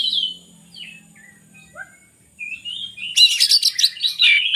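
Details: Oriental magpie-robin song meant to coax lazy birds: isolated descending whistles with pauses, then a sudden loud burst of dense chattering, mimic-like notes.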